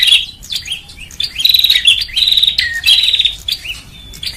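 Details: Bar-winged prinia lure recording: clipped, high chirp bursts with quick rising whistles in between, delivered in an uneven rapid series with a thin drawn-out note near the end.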